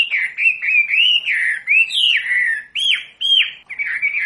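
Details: A wambi sings on a recording meant to train captive birds: a chain of rounded, arching whistles, each rising then falling, broken by short pauses near the end.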